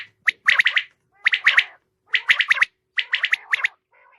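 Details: Female common quail calling: harsh, raspy bursts of two to four quick notes, the groups repeated about once a second with short silent gaps between them.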